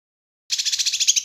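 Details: Kinoi bird recorded as a master track for training and luring birds: a short, rapid trill of high, bright notes pulsing about ten times in under a second, on a silent background.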